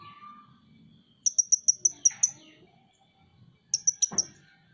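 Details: Caged Van Hasselt's sunbird giving rapid series of very high, thin ticking notes, six in the first run and four in the second, over faint low background murmur.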